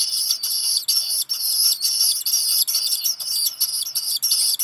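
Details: Nearly continuous, piercing high squeals pour from a two-week-old black guillemot chick at Seal Island National Wildlife Refuge, Maine, USA, around noon on 13 July 2021, while a parent brings a meal of rock gunnel; brief gaps break the calling.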